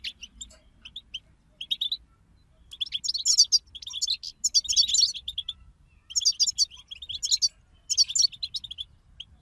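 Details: European goldfinch group twittering (bitbita) for stimulating a kept goldfinch to sing: several loud bursts of rapid, high, jingling and buzzy chatter alternating with brief pauses and lone chirps, faint low hum beneath.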